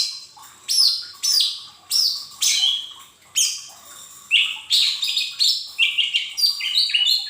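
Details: Energetic lesser green leafbird song used to stimulate untrained cage birds: rapid run of high whistled phrases, first slurring downward, then a quickening series of short stepped notes, near-continuous over several seconds.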